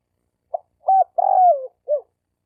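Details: Male spotted dove calling to attract females: one cooing phrase of a short clipped note, a rounded coo, a long drawn-out falling coo, and a final short coo, low and mellow.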